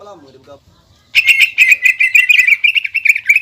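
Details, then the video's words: Greater green leafbird lure song with rich mimicry, intended to anger and challenge a rival leafbird. After a soft low warble, a loud rapid stream of bright chipping notes bursts in and continues steadily. "PANCINGAN CUCAK IJO GACOR FULL BONGKAR ISIAN BIKIN EMOSI CUCAK IJO LAWAN"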